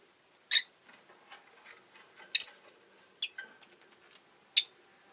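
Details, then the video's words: Pair of pet rosy-faced lovebirds sitting together at an entrance: four sharp shrill chirps over five seconds, one harsher and longer, between soft ticking and rustling noises. "Lovebird Chirping Sounds"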